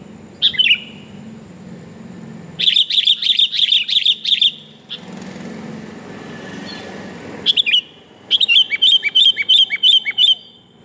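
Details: A female sooty-headed bulbul calling the male, recording meant to lure birds: one chirp, then a fast chattering run of bright notes, a quiet stretch with soft engine-like noise, then another long rapid series of chirps.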